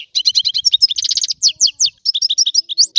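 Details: Sicilian goldfinch in its rare 'antico' song: a quick three-second run of crisp, liquid, high chirps, a brief buzzy rattle and sliding twitters in a rapid, uneven rhythm.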